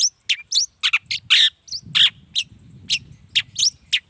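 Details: Lively long-tailed shrike song intended to lure replies from other shrikes; a dense jumble of scratchy chirps, squeaky whistles and harsh notes with brief gaps, over a faint low murmur.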